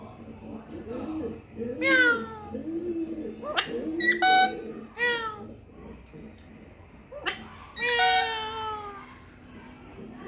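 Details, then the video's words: Parrot giving several harsh, harmonic, falling squawks spaced a few seconds apart over steady low cooing in the background. "funny parrot 🦜 😄 beautiful mitthu sounds"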